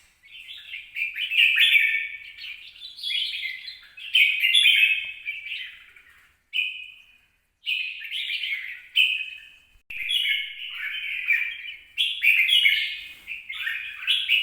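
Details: Red-whiskered bulbul recorded on 26 April 2022, singing short bursts of scratchy, warbled notes separated by brief pauses, about seven phrases, with one clear flat whistle midway; quiet background.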